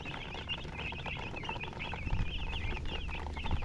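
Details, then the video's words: Chirping chickens (murgi) with a hen: many quick, high, wavering peeps overlapping continuously, a few louder notes standing out, over steady low-pitched background rumble. "silly chicken chirping sounds"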